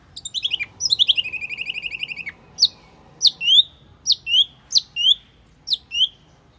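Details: Wambi Mini used as a lure sound: a rapid rattling trill that slides downward, followed after a gap by sharp, high, falling chirps spaced irregularly.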